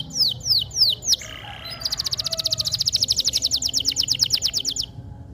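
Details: Local canary with dark plumage sings a few separate swooping notes, a brief lower buzz, then a long, even trill of fast repeated high strokes that stops abruptly; low background hum.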